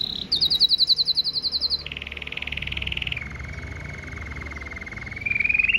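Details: Powerful song of a Red Mosaic Agate canary: loud, rapid trilled rolls delivered at several pitch levels, stepping from a high fast trill down to lower buzzy rolls, then a steady lower tone rising again at the end.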